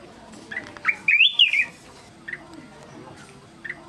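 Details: A black-crested bulbul gives a few soft short notes, then a clear warbled whistle that rises and falls. Isolated brief chirps follow at intervals over a faint, steady background hiss.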